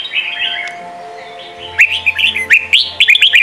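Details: Red-whiskered bulbul training song for young birds, Sông kon style: after a soft, murmuring start, a rapid series of bright slurred whistles rings out, with a low hum in the background.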